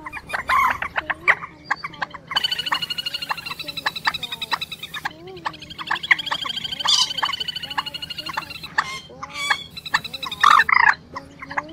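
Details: Quốc biển and trích ré calling together as a lure for night net trapping during the March 2024 bird migration: long stretches of steady rattling trills mixed with sharp rising whistles and loud clipped squawks.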